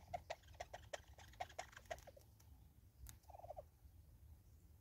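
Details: Southern red-billed hornbill (Tockus rufirostris) in South Africa gives a quick series of hollow, clucking notes, about four a second, ending in a brief rapid burst, over a low background rumble.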